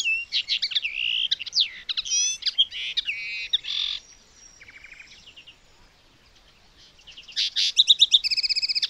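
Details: A common linnet recorded on 19 May 2021 in Territorio Lince sings a fast, varied twitter of chirps, short trills and buzzy notes, pauses briefly, then resumes with rapid repeated phrases.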